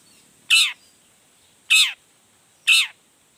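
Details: Long-tailed shrike in fine voice, its varied repertoire used to provoke other shrikes into answering: three loud, harsh descending notes, each about a quarter second long, spaced roughly a second apart against a steady high hiss.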